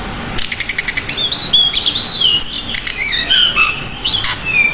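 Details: Pied bushchat in nonstop training song with many borrowed notes. A rapid series of about eight ticking chips leads into a dense medley of whistled slides and chatter.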